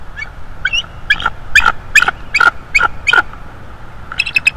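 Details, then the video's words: Bald eagle at its nest in North East Florida, March 2, 2022, late afternoon: a rapid series of short, high, squeaky piping notes, about two and a half per second, with a brief pause before a final tighter burst. "Bald Eagle Cam"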